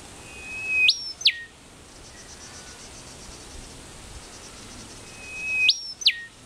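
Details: Rufous whistler in a park in Perth, Western Australia, giving two loud whistled phrases about five seconds apart, each a level note leaping high then snapping down in a whip-like stroke; faint insect hum between.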